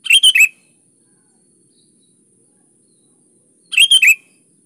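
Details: Sooty-headed bulbul singing vigorously: two quick bubbly phrases of three to four bright, liquid notes, the second coming after a gap of about three seconds, with silence in between.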